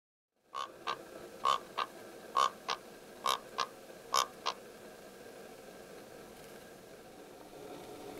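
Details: Karoo korhaan calling in Anysberg Nature Reserve, South Africa: a series of harsh, croaking notes in loud-then-softer pairs, about nine notes over four seconds, followed by quiet background hiss.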